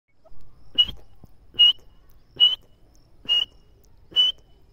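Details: Partridge calling with a single clear, high whistled note repeated steadily about every 0.85 seconds, five times, each note short and level, in otherwise quiet surroundings.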